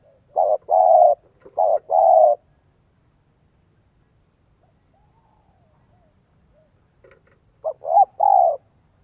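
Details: Cooing of a spotted dove in the 'giọng son 1 cốt lỡ' style, meant to draw in wild doves. Two quick phrases of short and long soft coos come first, then a long silence, then a final phrase.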